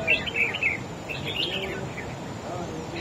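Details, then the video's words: Wild-caught red-whiskered bulbul singing in a contest against another bird, overpowering its rival: short warbled, chattering phrases high in pitch in the first moments, then fainter bubbling notes over a steady hiss of background noise. "Chim Chào Mào Của A Tủa Hót Đấu Ché Đè Đối Phương Quá Khét"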